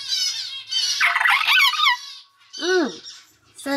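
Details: Pet common hill myna chick, three months old and not yet talking, sex unknown, calls indoors with rough, harmonic-rich squawks and wavering notes, then a short down-curved nasal cry after a pause; a person speaks softly nearby.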